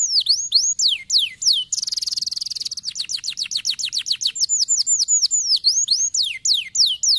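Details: To stimulate silent canaries: canary song of looping down-and-up whistles, a rapid buzzing trill for about a second, then a long run of quick falling chirps and returning swooping whistles.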